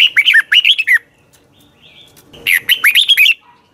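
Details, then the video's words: Caged red-whiskered bulbul singing in the morning for training: two bursts of bright, warbled whistled phrases, each a quick run of rising and falling notes lasting under a second, separated by a short pause and a faint soft note. "Luyện chào mào hót sáng"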